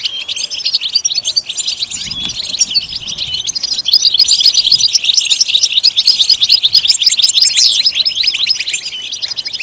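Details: {'caption': 'Goldfinch song meant to encourage other goldfinches to sing: long, dense twittering of rapid, high, liquid notes and buzzy trills, growing louder after the first few seconds.'}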